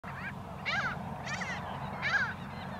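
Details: Mediterranean Gull in the Camargue, France, in May 2021, giving nasal, mewing calls, three short bursts in under three seconds, over a steady low rumble of wind or traffic.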